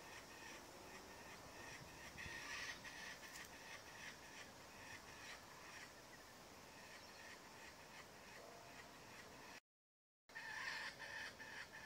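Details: Three laughing kookaburras in a thicket, two of them fighting while others, including a pair of magpies, watch, give harsh, rapid cackling and chattering calls in a dense, continuous stream, with a brief break near the end.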